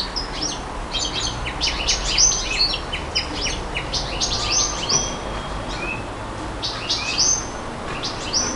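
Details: Singing nightingale: fast, jumbled phrases of high chirps and clicks alternate with sustained whistled notes and brief upward slurs, over faint background noise.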